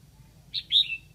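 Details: Loud, clear phrase from a Lạng Sơn decoy red-whiskered bulbul luring wild bulbuls: a short high note, a brief pause, then a rich whistled warble slurring downward, under a second long.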